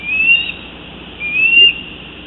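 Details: Two thin, high, slightly rising whistles from a female bald eagle in her nest calling for her mate, who has just brought her a fish; quiet background otherwise.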